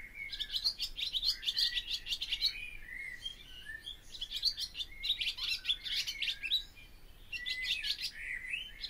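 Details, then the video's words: Song of a barn swallow, a rapid warbling twitter of high chirps and rasping buzzes in bursts of about two to three seconds, separated by brief lower slurred notes. "O canto da ANDORINHA-DAS-CHAMINÉS/BARN SWALLOW SONG (Hirundo rustica)"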